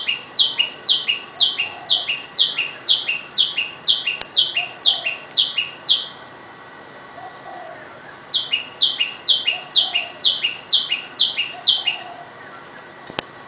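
A tailorbird gives loud, sharp two-part notes, about two per second, in two bursts of a dozen with a pause between. Faint background hum.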